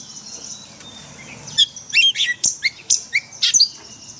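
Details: Forest-style Oriental magpie-robin song used for daily training of caged birds: a faint thin whistle, then a quick run of sharp, bright notes and short downward sweeps over a soft background hiss.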